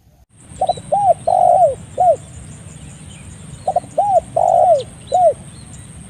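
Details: Spotted dove call for training or luring birds: two phrases, each a pair of quick notes, an arched coo, a long coo and an arched closing note, over a steady hiss and a high electronic whine.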